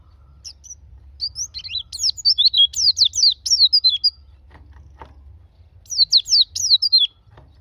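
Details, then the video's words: A white-eye (pleci, Zosterops), used as a lure to get a pleci to open its beak and sing, gives two bursts of high, rapid twittering of slurred, descending notes run quickly together, with a few soft clicks in the gap. "Pancingan pleci agar buka paruh"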